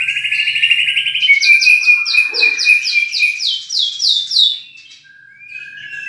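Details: Champion White-rumped shama singing rich 'isian' filler material: a fast rattling trill of high notes, then about ten loud, rapidly repeated downslurred whistles, ending in a few soft, quieter notes.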